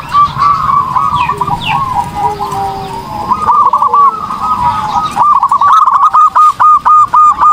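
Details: Zebra dove in energetic gacor singing, recorded as training song for other birds: rapid runs of short, rolling cooing notes at a steady mid pitch, becoming a crisp evenly repeated phrase near the end, over a busy background of other chirps.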